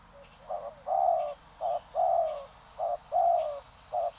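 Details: Spotted dove cooing: short notes paired with longer, slightly falling coos, repeated roughly every second in a steady phrase, clear and close with little background.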